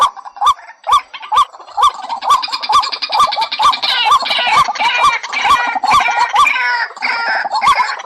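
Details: Bird-trapping lure of a White-breasted waterhen: sparse hooked croaks at first, then a steady twice-per-second series joined by a buzzy, grating chorus that rises and fades.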